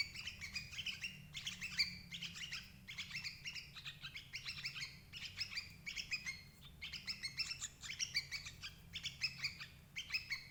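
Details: Sooty-headed bulbul, used as a lure to trap adult birds: steady chattering of bright, quick notes in grouped bursts across the whole stretch, with soft low hum behind.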